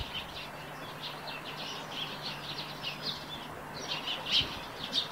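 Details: Eurasian tree sparrows around their nest on a roof chatter in quick, high chirps, a busy cluster early on, then a louder pair of sharp notes near the end, with a faint low hum beneath.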